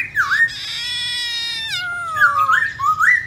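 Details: Many-voiced wild-style song of a White-browed laughingthrush: a slurred whistle leading into a long sustained buzzy, harmonic-rich note that drops in pitch, followed by rolling rising whistles.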